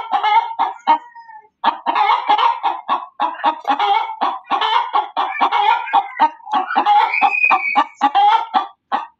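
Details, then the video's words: A hen's loud cackle: dense, rapid, raspy clucking running almost without pause, with a drawn-out higher squawk near the end. "SUARA AYAM BERKOKOK KERAS || suara ayam berkokok betina"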